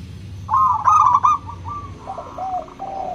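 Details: Local zebra dove with a crystal voice, used to spur reluctant doves to sing. One loud rolling trill of quick coos, then softer drawn-out coos from a second bird, over a low background rumble.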